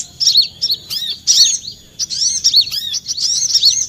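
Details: Olive-backed sunbird, a trapping lure call: bursts of sharp, high, arched chirps about a second apart, separated by short quiet gaps.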